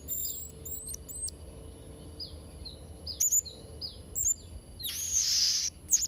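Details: Blue-crowned hanging parrot, used to train young birds: soft, down-slurred high tweets repeated several times, a few sharper upper notes, then a loud hissy high burst near the end.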